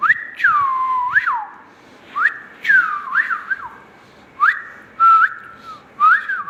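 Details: A ringneck parrot kept as a pet whistles a series of short, pure-toned phrases. Each has a sharp upward sweep followed by a falling slur, with pauses between them, in a quiet indoor setting.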